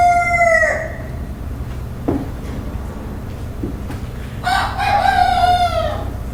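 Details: Morning crowing of a rooster: the end of one crow falling away, a quiet gap with faint clucks, then a fresh loud crow rising and held, sliding down at its close.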